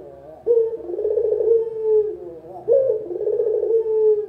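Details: Local puter, the spotted dove, cooing as a lure sound: two low phrases roughly two seconds apart, each starting with a sudden lifted note and flowing into a buzzy, vibrating, gently falling hum.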